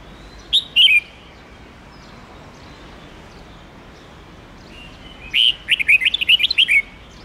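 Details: A red-whiskered bulbul gives its long forest song for training juvenile birds. Two short sharp notes come first, then after a pause a lively burst of about ten quick whistled notes, over faint background hiss.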